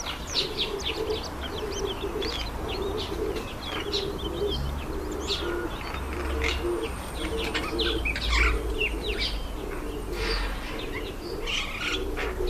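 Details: Yellow white-eyes, a very active and noisy bird that calls continually to keep in touch, give thin, high chirps and twitters while eating an apple, over a dove's repeated low cooing and a faint background rumble.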